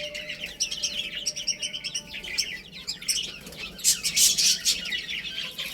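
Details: Chicks at play giving rapid, high-pitched chirps in overlapping bursts, growing louder and sharper toward the end, with light fluttering in the background.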